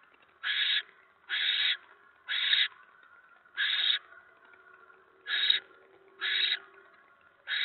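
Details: Barn owl at its nest on the evening of 10 November 2017, 7:50 PM, as a mouse is delivered; harsh, breathy hissing screeches about a third of a second long, seven of them roughly once a second, quiet between.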